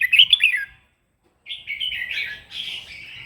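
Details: Red-whiskered bulbul singing a morning fighting song to train its voice: a bright warbled phrase, a short silence, then a longer, softer run of whistled, slurred notes.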